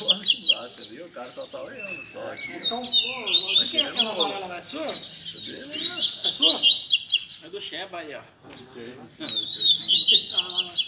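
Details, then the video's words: Double-collared seedeaters kept by enthusiasts at a Sunday-morning get-together, giving bursts of high, rapid, buzzy trilling notes in phrases a few seconds long separated by short pauses, with men chatting throughout. "Barderna de Coleiro Entre Amigos!!! Top Pra Esquentar seu Coleiro!!!"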